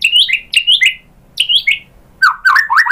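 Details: White-rumped shama song used as a lure to provoke other birds into singing: bright whistled phrases with sharp downward-slurred notes, three similar phrases in the first two seconds, then lower rising slurred notes near the end.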